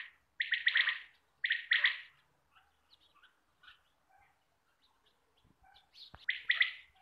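Quail giving three loud, rapid bursts of sharp, clipped notes, with faint chirps from other small birds and a dull thump between bursts.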